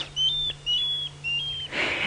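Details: Water thick-knees calling in the distance at sunset in July, Sabi Sand, South Africa, near hippos: a run of four thin, high whistles about every half second, each drawn out and level. A low engine hum and a burst of rustling are heard too.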